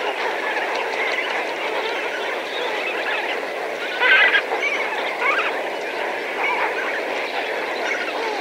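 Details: Lesser Flamingo flock of several thousand birds at medium perspective: a constant babble of honking calls, with a few louder, clearer nasal honks rising above the mass near the middle and again later.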